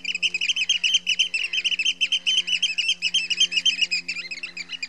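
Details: Rapid, strident alarm piping from a Eurasian oystercatcher at Heybridge Basin, Essex, notes tumbling at about four per second, with a low droning hum underneath.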